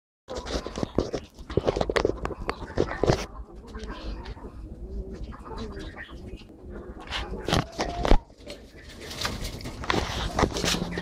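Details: Holle cropper pigeons kept in an aviary in Malaysia, giving low, droning coos with harmonics. Constant clatter, clicks and shuffling fill the background, with sharp knocks throughout.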